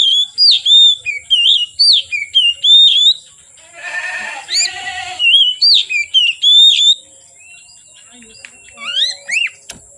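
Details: Oriental magpie-robin singing vigorously from afternoon into dark: clear whistled phrases, some rising, some slurred, repeated in quick bursts. A short harsh, rasping burst interrupts midway. Thin squeaky notes follow near the end over a steady high hiss.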